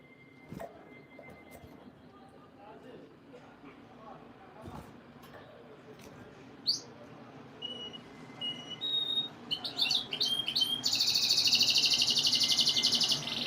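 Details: Canary song used for breeding conditioning to stimulate females. Scattered thin chirps over a low background hum give way to sharp rising notes, then a loud, rapid, buzzy trill that fills the last three seconds.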